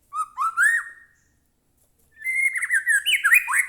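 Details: White-rumped shama in captivity, its song meant to provoke another captive shama to sing: a short rising whistled phrase, a pause of about a second, then a longer rapid sequence of varied whistles and trills.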